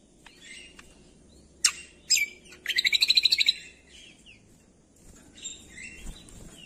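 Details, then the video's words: Cucak kombo with scattered chirps, then a fast rattling trill of about a dozen notes, followed by soft warbles. "MASTERAN CUCAK KOMBO"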